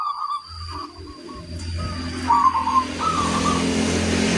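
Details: Local Indonesian zebra dove singing actively with a big 'kung' voice: mellow, hollow cooing notes in short rhythmic runs, with two clearer phrases in the second half, over a steady low rumble like passing traffic.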